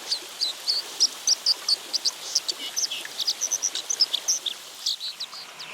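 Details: A male White-throated Dipper sings near the nest on a remote high stream in the Mongolian Altai in early July, possibly passing song patterns to his chicks: a rapid, scratchy warble of short high notes over the hiss of rushing water.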